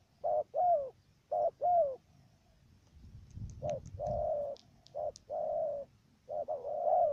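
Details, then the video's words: A dove used as a trapping decoy gives stuttering coos at the first note: low, hollow coos in short paired bursts, then longer drawn-out notes about every second, over faint clicks and soft rumble. "Bổi thổ gù cà lăm tiếng đầu"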